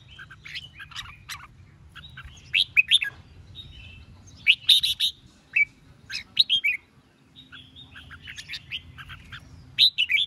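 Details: Red-whiskered bulbul singing competitively to stir up rival birds: lively bursts of sharp, bubbly, warbled notes, some swooping up and down, repeated in clusters with short pauses, against a faint low background hum.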